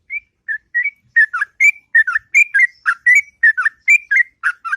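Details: In the morning a sooty-headed bulbul sings long, melodious ngropel song, starting with three separate clear whistles, then speeding into rapid paired notes that dip and rise.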